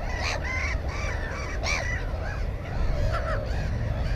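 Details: Black-headed gulls calling at a nest holding one egg and one chick, filmed with a GoPro on 15 May 2016: several harsh, arched, nasal cries, some overlapping, over a constant low rumbling background.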